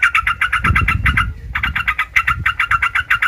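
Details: Rapid, bubbly Sooty-headed bulbul notes meant to provoke other bulbuls to answer, with a brief pause midway and low rumbling background noise beneath.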